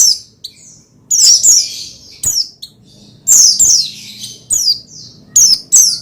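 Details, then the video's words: Oriental white-eye (pleci) song, played to stimulate another pleci to sing: short bursts of very high, rapid twittering with quick descending sweeps, in separate bouts roughly every second, against a quiet background. "Menaikan Emosi Burung Pleci Bahan Agar Pleci Gacor Cepat Bunyi Rajin Gacor"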